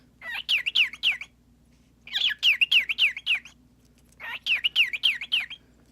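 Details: A pet male cockatiel chatters in three bursts about two seconds apart, each a quick run of five or six high, rising-and-falling whistled notes.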